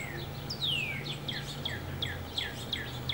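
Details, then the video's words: Male and female goldfinch at a feeder, giving a rapid series of short, sweet downslurred chirps, with one longer descending whistle early on, over a steady low hum. "Male and female Goldfinch at the feeder!"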